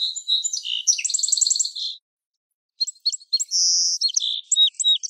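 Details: Song sparrow song, very high and clean: a few introductory notes, then a fast buzzy trill of repeated notes, a pause, and a second phrase of sharp chips, a sustained buzz and varied twittering notes.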